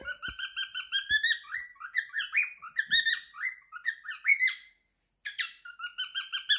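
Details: Favourite song of a three-year-old male cockatiel kept at home: dense repeated whistles with upward sweeps and twitters, a short gap near the end, and a few soft clicks underneath.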